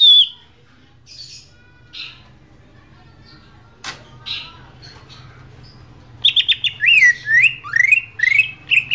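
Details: Greater green leafbird champion song: sparse soft notes and a click at first, then a loud rapid series of looping, swooping whistles in the final seconds over a low hum.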